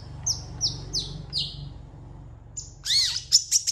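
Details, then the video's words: Long-tailed shrike song: four high, thin, descending whistles in slow succession, then a sudden burst of shrill, warbled squeaks, with a low hum underneath. "CENDET GACOR FULL ISIAN CEPAT DI RESPON PENTET LAIN"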